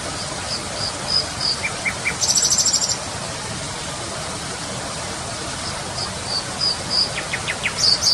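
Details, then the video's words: A Common Nightingale sings short, high phrases of thin whistles, a fast buzzy trill and a few falling notes over a steady background hiss. "Nightingale is singing."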